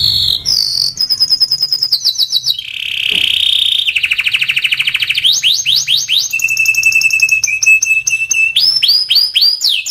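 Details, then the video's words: Singing Timbrado canary delivering a varied melody of rolling trills, held whistled notes, rapid stuttering tours and fast rising sweeps, changing pattern every second or two without pause. "Timbrado canary singing beautiful melody"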